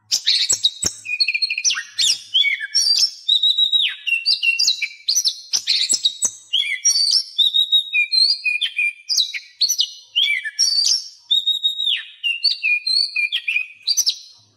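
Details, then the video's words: Continuous varied song of an Oriental magpie-robin, meant to prompt silent captive birds to sing and learn new phrases: rapid, dense sequence of whistled notes, trills and sharp chips, barely pausing for fourteen seconds. "Masteran Kacer Bisu"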